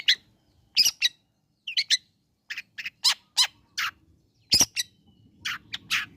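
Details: Long-tailed shrike song meant to provoke listless shrikes into answering: an irregular string of harsh, scratchy chattering notes and short squawks, with faint low rumbling in the background.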